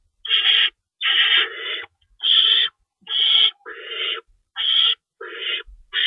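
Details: At an owl nest in the early hours of March 25, 2012, feeding time with two rabbits in store while one adult shreds prey; rasping, hissy screeches follow one another almost continuously, each under a second long.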